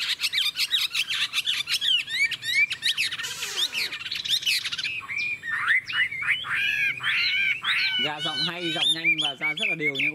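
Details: Chinese hwamei, described as having a long ngũ trường song and a wild forest voice, pouring out a varied medley of sweeping whistles, harsh squawky notes and rich nasal bursts, getting louder toward the end.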